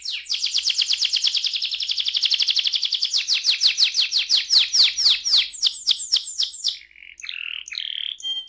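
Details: Canary delivering a long roll: a rapid, steady trill of high, even notes runs unbroken for about six seconds, the notes slowing and sweeping down toward the end before a few separate whistled notes finish the phrase.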